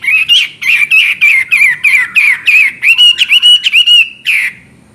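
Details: Chinese hwamei in strong song: a loud run of about fifteen rapid, ringing, warbled whistled phrases, each slurred up and down, delivered almost without pause before trailing off.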